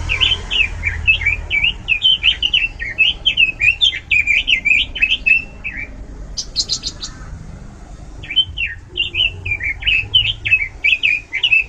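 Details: Oriental magpie-robin giving a loud, varied song: a long rapid series of looping whistled notes, broken midway by a quick buzzy rattle of high clicks, then more whistles.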